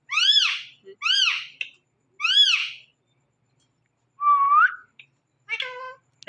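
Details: Indian ringneck parakeet heard on a Thursday night: three strong, arching harmonic calls spaced about a second apart, a pause, then a single smooth whistle and a few short talking-like syllables.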